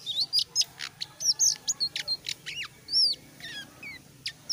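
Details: Selendang biru in full voice: dense, energetic bursts of shrill chirps and downward-slurred whistles, notes packed closely together and varying in pitch, delivered nonstop for several seconds.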